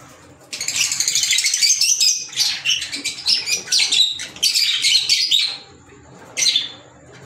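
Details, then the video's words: African lovebirds, green Fischer's type, keep up several seconds of busy, piercing twitters and squeaks, ending with a quiet gap and one last short burst. "Fisher Love Birds Sound"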